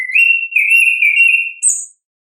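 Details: Orange-headed thrush, natural voice, ngeplong song style: one sustained, wavering whistled note holding steady in pitch for about a second and a half, ending with a brief, much higher squeak.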